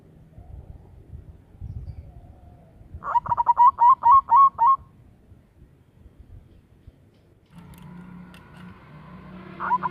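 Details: Local zebra dove used as a lure bird, noted for a loud voice: a quick run of about eight short, stuttering coo notes in under two seconds, followed by quieter background noise and a faint hum.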